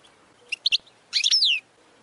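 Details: Goldfinch training song fragment: three short clipped chirps followed by a brief burst of twittering ending in a falling, nasal downslurred note, high-pitched over faint background hiss.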